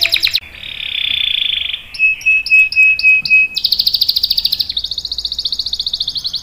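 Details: Singing canary with varied long rolls: a burst of buzzy trilling, a lower sustained roll, a thin high pulsing trill with a few clipped notes, then another fast, rattling roll to the end.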